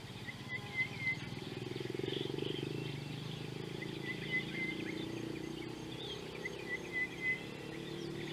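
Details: White-browed coucal at an African watering hole, 20 August 2018: a low, hollow bubbling run of rapid notes, like water poured from a bottle, rises and fades twice; thin whistles from another bird and insect hiss behind.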